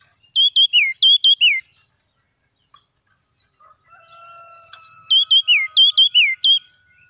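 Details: A forest-dwelling red-whiskered bulbul sings two bursts of about six lively whistled notes, each note swooping down then up, with a faint steady tone and soft calls in the pause between.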